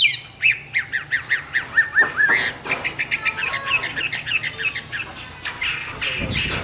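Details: Morning song of a hwamei: a quick string of bright, similar notes repeated about five times a second, then a freer, varied warble of whistles and chips over faint background hiss.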